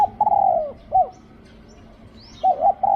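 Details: Spotted dove used in decoy luring, cooing a long level-then-falling hoot followed by a short clipped note, a pause, then a double coo; a faint high rising whistle from another bird in the background.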